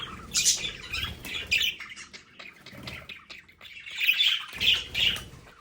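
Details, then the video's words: Budgerigars kept indoors at home chirp and squawk in short scratchy bursts, with trilled high notes rising and falling, separated by brief pauses and soft low background thuds. "Sonidos de Periquitos Australianos en casa"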